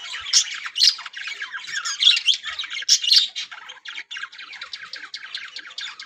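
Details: Colony of yellow budgerigars, a breeding colony of Australian parrots, chattering together: dense overlapping warbles and squawks with sharp bright notes at about one-second intervals, continuous for the whole stretch.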